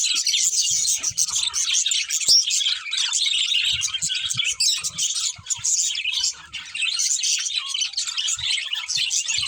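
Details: Pet budgerigars chirping together: a dense, continuous chatter of rapid high twitters and warbles with overlapping voices, a few soft low thumps and clicks beneath.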